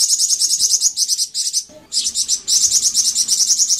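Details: Flamboyan bird lure song: rapid, shrill chattering notes in tight clusters, a short lull, then a steady continuous high trill.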